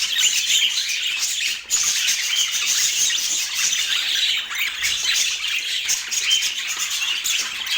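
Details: Budgerigars in Portland keep up a loud, continuous high chatter of chirps and squawks, broken only by a brief dip near the start before the twittering swells again.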